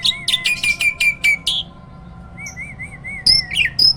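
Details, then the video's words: A hybrid jalak (myna) kept in a cage as a training master for other songbirds. Quick scratchy chirps run over a steady whistle, then a pause, soft undulating whistled notes, and a few sharp upslurred calls. "JALAK HYBIRD GACOOR!! MASTERNYA PARA JUARA."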